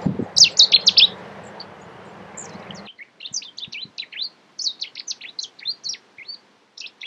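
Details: Cetti's warbler, UK: an opening blast of loud, sharp, high notes, then a long run of quick, thinner chipping notes repeated rapidly against a quiet background.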